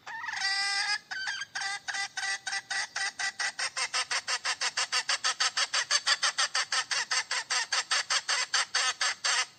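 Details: Female chicken cackling while calling for a mate, opening with a long strident squawk followed by a fast, even run of sharp, repeated clucks, about four per second, continuing to the end without other sounds.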